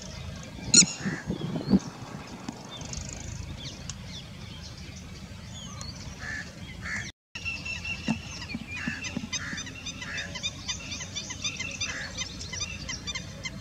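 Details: Indian spot-billed duck recorded in Sikar, Rajasthan, India; harsh, nasal honking calls come in short bursts at irregular intervals through the second half, over steady background hiss and occasional high chirps from other birds.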